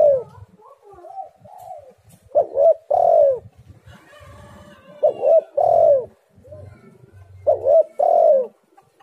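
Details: Spotted dove lure recording meant to make other doves sing: three loud phrases, each a quick coo followed by a drawn-out, slightly rolling descending coo, with quieter coos and faint low murmurs between them.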